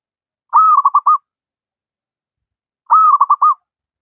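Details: Two identical zebra dove song phrases, a long held coo breaking into three or four rapid pulses, from a local wild bird recorded as a master for teaching lazy doves to sing.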